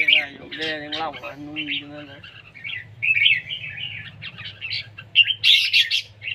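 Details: Red-whiskered bulbul in competition singing, the siêng ché style: after two seconds of low, harmonic voice-like sounds, a run of quick, high chattering phrases and short warbled notes follows, with louder bursts near the end.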